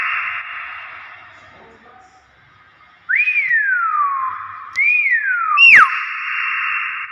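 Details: Bornean hill myna whistling naturally: after a quiet stretch, two arching notes that rise and then glide down, ending in a sudden steep falling whistle, with a continuous hiss in the background.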